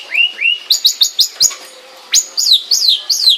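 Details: Long-tailed shrike giving upward-slurred whistles, then quick high double notes, a pause, and several descending whistled slurs.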